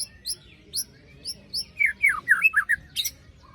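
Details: White-rumped shama trigger song after moult: thin high ticks repeated about every half second, then a quick series of loud, slurred whistled notes and a short harsh rasp.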